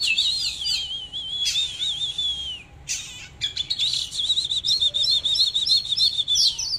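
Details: Oriental magpie-robin singing while dancing in display: a long, wavering, finely trilled whistle held high and steady, broken by short sharp bursts, then a run of quick rippling notes repeated several times a second.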